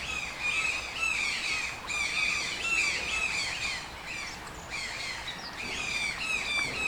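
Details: Toucan squawking in a busy, uneven series of harsh, rasping notes, about two per second, with a brief quieter gap midway.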